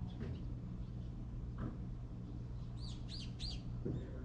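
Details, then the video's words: Birds at a fallen bird feeder after a rain storm in Korea, one bird feeding another; three quick arched chirps near the end over a steady low hum and faint background noise. "birds at a bird feeder chirping"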